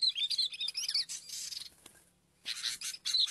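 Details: Sooty-headed bulbul while luring birds: lively warbled chirps rising and falling, a hissing rustle in the middle, then more bright chirps after a short pause.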